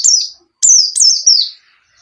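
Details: Bustomi pleci white-eye song used to lure a silent caged bird into singing: one short falling whistle, then a longer linked run of high notes gliding steadily downward.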